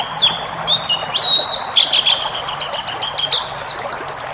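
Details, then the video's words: Cage-bird training song of a white-eye, 'ngalas' style rich in fill-in phrases, used to calm stressed birds and get them singing. Bright, high twittering with quick upward-flicked notes and brief sustained whistles, fairly continuous. "masteran burung pleci ngalas full isian"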